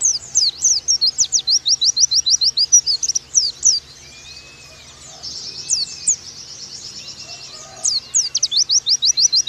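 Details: Oriental white-eye delivering a fast 'nembak' training song. There are long bursts of quick, high, slurred whistles in tight rhythm, a pause with a soft thin whistle, then another rapid burst of piercing notes.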